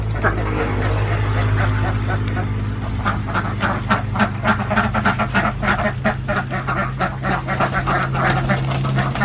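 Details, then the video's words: Farmed Alabio ducks, endemic to Borneo and kept in central Java, quack in a continuous rapid nasal chorus above a constant low droning hum. "ENDEMIC BORNEO ALABIO DUCKS , CAN LAY EGG WITHOUT MATING , DUCKS SOUND"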